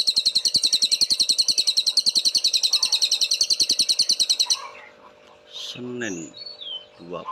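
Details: Cililin master song for tutoring songbirds, clear and sharp: rapid, even run of shrill high chirps for over four seconds, stopping abruptly, followed by a few scattered chirps and short lower notes.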